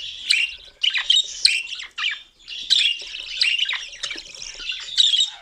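A cockatiel chatters in a fast run of harsh squawks and shrill chirps, bursts following one another with brief pauses.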